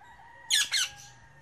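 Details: Rose-ringed parakeet (Indian ringneck) perched on a tree giving two short, harsh, raspy squawks in quick succession, with a faint steady hum underneath.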